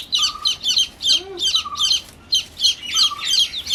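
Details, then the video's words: Young hatchling chicks give a busy chorus of sharp, high chirps in clustered bursts, interspersed with level mid-pitched peeps and one brief low rising squeak. "Cute New Baby Chicks Chirping Sounds"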